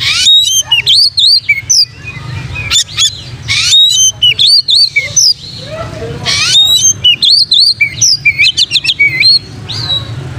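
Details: Vigorous oriental magpie-robin song meant to train other magpie-robins: rapid bursts of high sliding whistles, sharp chips and harsh rasps in phrases separated by brief pauses, over a continuous low hum.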